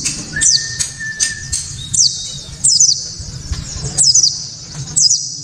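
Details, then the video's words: Japanese white-eye song, sharp and loud, used to trigger other white-eyes to sing: short high descending twitter phrases spaced about a second apart, plus a few level mid-pitched whistles early on. "Pleci kaca mata‼️tembakan‼️penuh sensasi‼️ pleci bakalan ❓ pasti langsung ikut Gacor"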